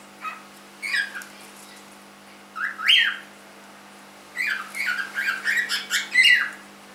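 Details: Young cockatiel, three months old, kept as a pet, calling repeatedly: scattered short chirps, then a loud rising-falling whistle, followed by a rapid run of six or so bright screechy notes.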